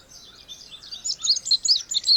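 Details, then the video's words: Indigo bunting singing a quick run of high, sharp chirping notes that grow louder and more emphatic toward the end, over a soft background. "Canto do Bandeira Índigo ou Estamenha Índigo"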